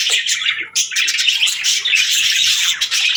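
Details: Budgerigars (parakeets) chirping, a dense continuous chatter of rapid high twittering and warbled notes with brief pauses, several overlapping voices suggesting a group of birds; no other clear sounds.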